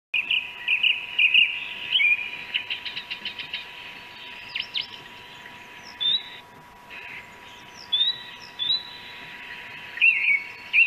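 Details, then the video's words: A song thrush sings loud, varied phrases of clear whistles and rapid ticking notes, each phrase short and high, over a faint steady hum. "Énekes rigó és hangja"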